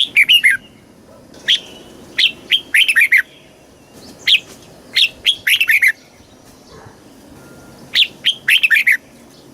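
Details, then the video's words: Red-whiskered bulbul song in the southern master style from Thailand, used to excite caged birds and teach young ones: loud clear whistled phrases of rapid rising-falling notes, repeated every one to two seconds against quiet background hiss. "เสียงนกกรงหัวจุก สำหรับต่อ หรือ เปิดให้นกคึก เสียงเพราะๆ"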